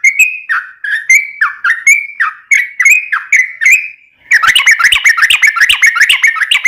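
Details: Yellow-vented bulbul lure song to make captive bulbuls answer: a regular series of falling whistled notes for about four seconds, then a denser, faster burst of scratchy chattering.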